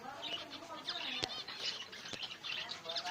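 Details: A busy chorus of zebra finches in a home aviary setup: short nasal, toy-trumpet beeps overlapping several times a second, with a couple of sharp clicks and possibly a voice underneath.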